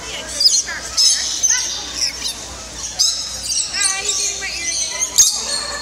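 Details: A flock of captive lorikeets at feeding time with nectar in an aviary at Bird Kingdom, Niagara Falls, Canada, gives shrill, harsh, continuously overlapping screeches and chattering squawks, with faint human voices in the background.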